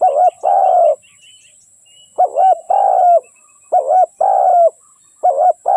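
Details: Decoy spotted dove calling to lure wild doves for trapping: paired low coos, a short bubbling note then a drawn-out hoot, repeated about every one and a half seconds, with faint high chirps from small birds early on.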